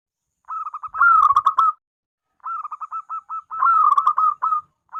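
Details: A local zebra dove (perkutut) singing actively gives two phrases of quick, staccato cooing notes at medium pitch. Each is about a second long and ends in a rolling flourish, with no other sounds.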